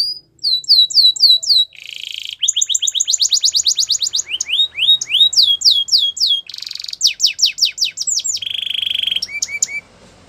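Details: Russian canary song used for training: fast tours of repeated rising whistled notes, swept slurs and short buzzy rolls, each phrase repeated several times before switching abruptly to the next, bright and high-pitched throughout.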